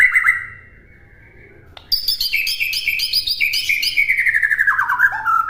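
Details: White-rumped shama song for teaching other birds: a short whistle and a quiet pause, then a sharp click. A rapid, chattering series of high, metallic notes follows and slides down into lower, descending whistles.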